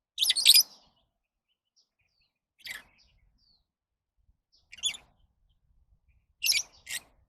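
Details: Lovebirds calling: harsh, high-pitched chattering bursts at about two-second intervals, a longer double burst at the start, with silence between.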